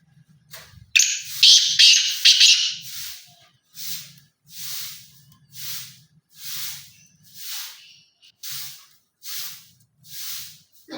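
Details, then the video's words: Black francolin (kala teetar) giving a loud, harsh, grating call of several rapid buzzy notes lasting about one and a half seconds, followed by steady breathy hissing pulses repeating roughly twice a second. "کالا تیتر کی آواز"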